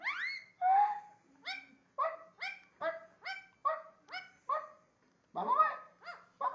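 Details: Talking and barking Indian ringneck parakeet: one long drawn note, then a chain of crisp, evenly spaced barks about every third of a second, closing with a louder rough burst.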